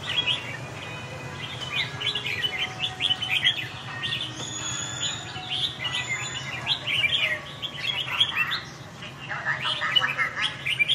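Red-whiskered bulbul singing busy, chattering phrases of bright chirps and short whistles over a low steady hum.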